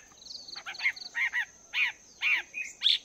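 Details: Caged wild-caught Chinese hwamei, two months in the cage, training its voice in the morning: loud harmonic chevron notes and rising whistles about twice a second, with thin high twitters between, over faint background hiss.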